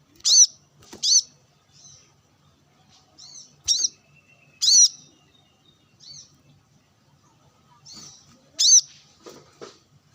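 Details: Brown-throated sunbird, sunbathing and calling to wild birds: sharp high chirps, some arching down, given in scattered bursts a second or more apart, with softer faint notes between and a quiet background.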